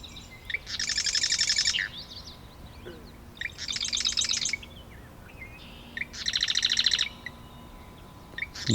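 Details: A second marsh wren singing across a pond about 40 ft away in wetland at Taquanyah Conservation Area near Cayuga, Ontario: three rapid buzzy, rattling trill bursts, each about a second long, introduced by short ticking notes, repeating every two to three seconds.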